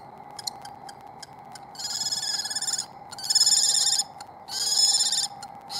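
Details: Wild common kestrel, resident female chasing off a second female near the nest in spring 2022: scattered sharp clicks, then three long, harsh, trilling whines, each roughly a second, over a constant electrical hum.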